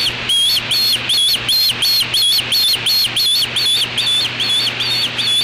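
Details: A juvenile osprey defends its natal nest against an intruder, apparently a black vulture, on an August 2013 afternoon. Piercing whistled notes rise and fall, repeated in a steady run about three per second, with a constant low hum beneath.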